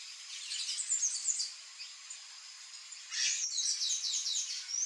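Palm tanager song: two bursts of high, thin, squeaky twittering notes in quick jumbled runs, separated by a quieter pause with faint background hiss.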